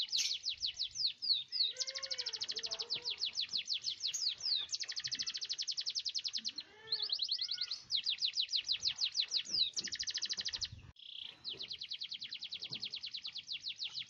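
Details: Canary singing a long roll, used to prompt silent canaries into song: sustained rapid trills of sharp high notes in long phrases, broken by a few lower chirps and short gaps, with a faint background hiss.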